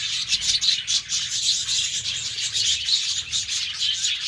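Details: Caged budgerigars in the morning, kept together in an aviary cage, giving a dense, continuous raspy chatter of quick overlapping chirps and scratchy warbles with no pauses.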